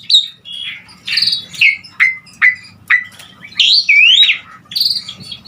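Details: Asian pied starling song for tutoring other songbirds. Clear whistled notes and short downslurs repeat at roughly half-second intervals, with one long, rising-and-falling whistle.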